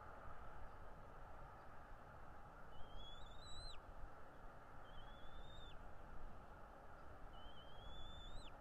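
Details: Wild bald eagle at its nest in Northeast Florida, from a nest camera on 13 February 2022 around 10:10 in the morning: three thin, whistled, rising notes with a sharp drop at the end, spaced about two seconds apart, over steady broadband background rumble.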